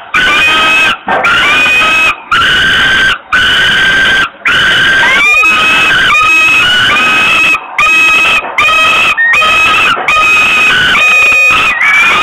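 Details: Hungry young common kestrels on a nest ledge in Włocławek, Poland, screaming as the mother arrives, 7 June 2021, afternoon; loud continuous harsh wailing screams with brief gaps, several overlapping calls, recorded very close.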